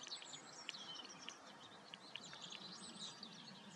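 A European greenfinch gives faint, bright twittering chirps, scattered irregularly through the phrase over a steady hiss of background noise.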